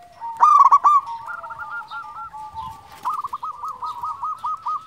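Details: Local zebra dove, a frequent singer, gives one loud ringing burst of cooing notes, then fainter rapid rolling coos and a rising, evenly pulsed trill of short coos.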